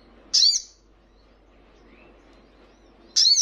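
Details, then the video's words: Crimson Sunbird training recording meant to prompt caged birds to respond: two sharp, high, buzzy downslurred notes nearly three seconds apart, with quiet between. "Buktikan jika Sogonmu bermental Bagus..Dalam hitungan Detik,pasti langsung ikut Nyaut dan Ngleper"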